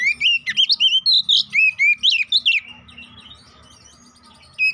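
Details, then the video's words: Oriental magpie-robin (kacer), a poci-type bird, singing an energetic lure song meant to provoke fighting and get birds singing: rapid loud whistled notes and rising-falling slurs around two to four thousand cycles, about two per second, then a quieter pause. "Pancingan Burung Kacer Poci agar Cepat EMOSI, GACOR ON KONSLET‼️"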